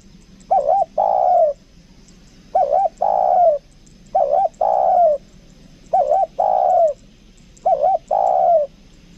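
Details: Spotted dove decoy, 'kuk dua' style, cooing steadily: each phrase is a short wobbling note followed by a longer falling coo, five phrases spaced roughly every two seconds.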